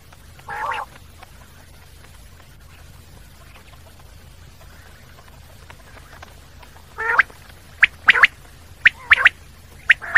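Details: After one nasal call and a long quiet stretch, a common quail bursts into clipped, rapid triple notes repeated several times near the end.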